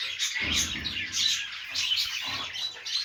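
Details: Budgies at play in a happy mood chatter continuously: overlapping squeaky chirps and warbled notes in uneven bursts about every second, with faint low rumbling underneath.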